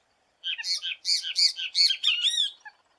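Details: Brazilian Great Kiskadee (bem-te-vi): a loud, continuous run of about seven harsh, buzzy, harmonic-rich notes over roughly two seconds, ending in arched squawky syllables, followed by a faint trailing chip.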